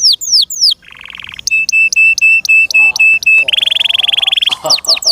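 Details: Captive canary song with a few falling whistles, a nasal buzzy phrase, a string of clipped metallic notes twice a second, then a dense rolling trill and more sweeps.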